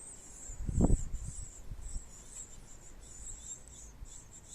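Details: Great tit feeding its babies, with an unbroken thin, high, fluttering hiss-like chorus throughout; a loud low knock near the first second and scattered soft thuds sit underneath.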